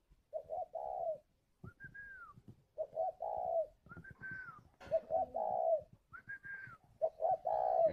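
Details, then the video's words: Caged spotted dove at a bird farm in Ba Vì, Hanoi, Vietnam, calling repeatedly. Mellow short-short-long coos come about every two seconds, alternating with higher downslurred whistled notes. "Gáy gọi Hậu 1"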